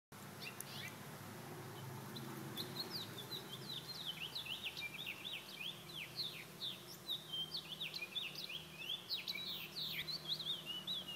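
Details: A House Finch singing at a patio: a long, rambling warble of quick, jumbled chirps and slurred notes, running continuously over a low background hum.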